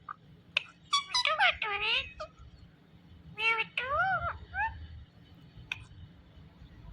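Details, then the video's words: Indian ringneck parrot, a talking bird, giving several wavering, harmonic, meow-like notes that bend up and down in two bursts over about five seconds. A low hum runs underneath, with a sharp click near the end. "Ringneck Parrot Sounds Mithu Mithu"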